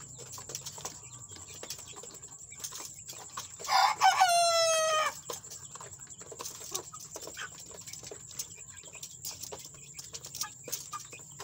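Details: Chickens, with fresh chicks newly added to the flock during fighting, give one loud harmonic call of about a second and a half that drops slightly in pitch. Before and after it, faint clicks and a steady high hiss.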